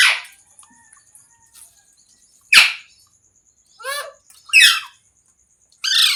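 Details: Parrot at home, heard as a few loud, harsh squawks and rasping bursts spaced by silent gaps, one with a wavering, stacked tone, in a small quiet room.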